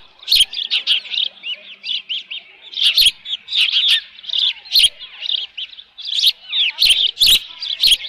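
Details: Osprey calling at its nest around 11:37 AM on 13 June 2018 with left over fish; near-continuous high chirping in quick bursts, mixed with sharp clicks and knocks.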